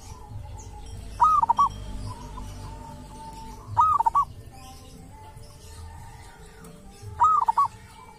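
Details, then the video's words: Local zebra dove at a sacred tomb, wild-caught type with a distinctive voice, repeating its soft cooing phrase three times, roughly every three seconds: an arched opening note and a rapid triple stutter, with low background rumble. "perkutut lokal dari MAKAM KERAMAT ‼️punya suara cirihas tersendiri"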